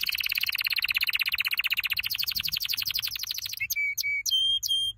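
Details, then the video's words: Canary training song, a long, rapid, rolling trill of closely packed notes that ends in several clear, sustained whistles separated by brief pauses. "Your canary will NEVER STOP SINGING With this training song"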